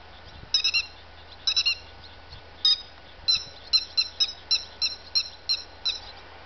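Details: Grey-headed lapwing calling in shrill, metallic squeaks: a few clipped triplets at first, then a steady series of single notes about three per second. Low rumble faintly underneath.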